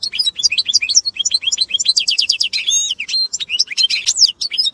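A goldfinch x canary hybrid sings a fast, bright warble of twittering notes, rapid trills and sweeping whistles, running without pause.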